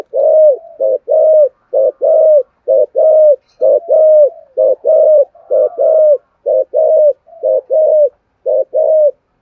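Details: Spotted dove cooing and calling, used as a decoy to provoke wild birds: steady series of mellow, low cooing notes, each rising then dipping, repeated about once a second with brief gaps, no other sounds.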